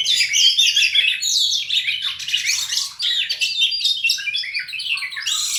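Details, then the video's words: Two fighting Oriental magpie-robins, each unloading its learned song material: an unbroken stream of shrill, varied chirps, slurred whistles and fast trills, sometimes overlapping, with a short dip in volume midway. "BURUNG KACER TARUNG, DUA2NYA BONGKAR ISIAN"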